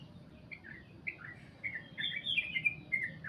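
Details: Long goklik song of a sooty-headed bulbul: scattered short chirpy notes that quicken into a run of tumbling, slurred warbles toward the end, over a soft low hum.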